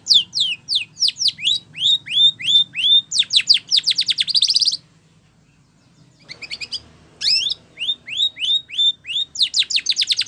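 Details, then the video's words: Spanish Timbrado canary song for training: rising whistles and falling notes repeated in series, a buzzy trill, a quiet pause, then the rhythmic whistled phrases resume. "Sound Of Canaries / Spanish Timbrado song For Training"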